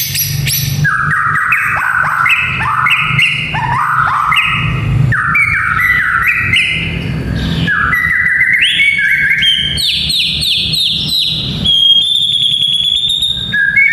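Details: White-rumped shama song with kretekan notes, played to build the fighting spirit of young males: dense, unbroken run of varied slurred whistles and chattering phrases, jumping between middle and very high pitches, over a steady low rumble.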